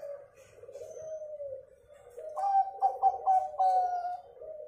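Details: Local zebra dove song meant to lure other birds into singing: low wavering cooing, then a louder rhythmic string of clipped, beating coos held at a steady pitch.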